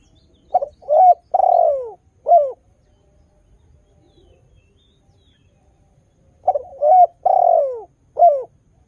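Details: Melodious, actively singing spotted dove used to entice new doves to call along: two identical low cooing phrases, each rising into a long falling coo and ending with a short note, about four seconds apart.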